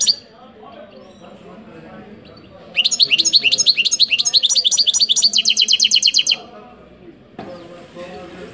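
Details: European goldfinch singing a lively phrase of rapid, high, twittering notes repeated for about three and a half seconds, rising into denser trills, framed by quieter background noise before and after.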